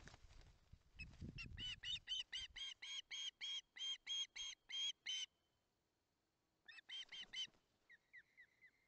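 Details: Hungry osprey chick at its nest in Barlinek, 19 July 2023, nearly colliding in the nest. Loud, clipped, harmonic chirps come about three per second for four seconds, then a pause, a short burst, and fainter downslurred calls. Low rustling at the start.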